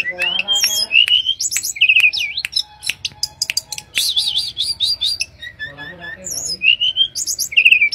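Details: Wild mangrove blue flycatcher in full song: a varied run of looping, wavering whistles, quick rising slurs and sharp high chirps, some buzzy notes, delivered in fast, uneven bursts.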